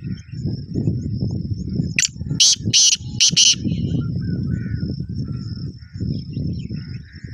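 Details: Harsh, grating call of a black francolin in full breeding condition: about five loud rasping notes in quick succession midway through. The bird is described as an unusually fast caller. Heavy low rumbling, a thin high whine and faint bird chirps.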